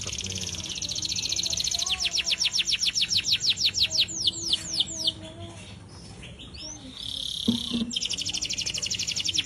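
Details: Atlantic canary singing uncaged, used as a master to train other birds: a long run of descending whistled notes about four a second, a quieter pause with soft chatter, then a renewed rapid trill.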